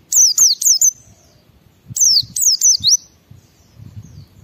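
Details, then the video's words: Gacor white-eye (pleci) song used to stimulate other white-eyes to sing: two phrases of three or four high, slurred, descending whistles each, about a second apart, over a faint low background. "Suara Burung Pleci Gacor membuat Semua Pleci langsung ngalas"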